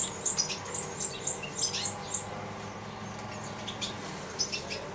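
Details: Nestling goldfinches fed by their mother give a quick run of sharp, high-pitched chirps for two seconds, then fall quiet except for a few soft later notes.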